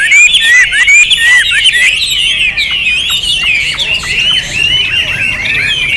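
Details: Hwamei singing loudly, a fast continuous stream of rich warbled whistles with sharp rising and falling slurs, barely pausing, in an otherwise quiet setting.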